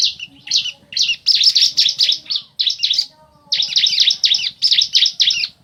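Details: A male and female bar-winged prinia calling in reply to each other: loud, dense runs of harsh high chirps, fast and almost continuous, broken by a few short pauses.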